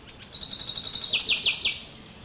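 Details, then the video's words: Common chaffinch (Fringilla coelebs) song: a fast run of bright, high repeated notes, then four louder notes that swoop downward to close the phrase. "Canto del Pinzón Común"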